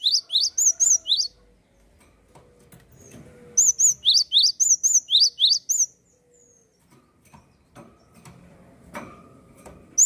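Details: Lively Java sparrow song used to encourage other birds to sing: two quick runs of high ringing, rising chirps, then several seconds of quieter background with clicks and faint tones before a final note.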